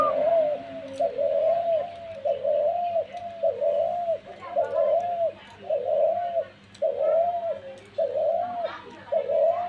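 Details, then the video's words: A dove keeps cooing almost without pause, mid-pitched wavering notes running one into the next, with faint background voices and a low hum. "ঘুঘু পাখির ডাক দিয়েছে"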